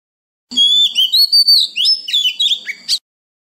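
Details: {'caption': 'Oriental magpie-robin singing a wild-type song to train young birds and prompt freshly caught birds: two and a half seconds of varied clear whistles, upslurs and quick downward flicks, ending on a sharp note.'}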